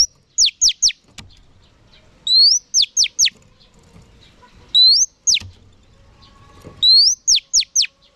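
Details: Female oriental magpie-robin calling to stimulate male birds. The pattern is a rising whistle then three rapid falling whistled notes, repeated four times in about eight seconds with short quiet gaps.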